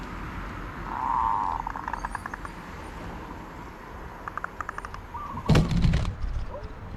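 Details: Zebra dove song: a steady buzzy coo followed by trailing stuttered pulses, then scattered faint notes and a loud clatter of handling noise near the end.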